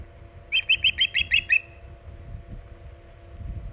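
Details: Osprey at its nest on Hog Island, 14 August 2019, around 11:45 am EDT during extended nest time: a quick burst of seven sharp, whistled chirps in about one second, then quiet with faint low background rumble.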